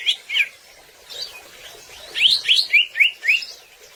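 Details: Greater green leafbird singing energetically, a recording meant to coax other birds into song: scattered chirps, then a quick run of bright downward-slurred whistled notes repeated several times a second.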